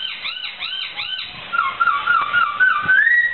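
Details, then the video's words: Laughingthrush (poksai) in full, energetic song: a quick run of arched, ringing notes, about four a second, then a wavering, fluty whistled phrase that rises at the end. "Suara Burung Poksai"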